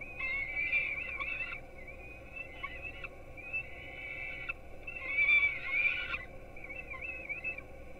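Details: Falcon chicks of the peregrine at a Polish nest in Gdynia, webcam-recorded at 4:21 am while fed breakfast: drawn-out, strained whining cries in two loud spells with quieter wavering calls between, steady hum beneath.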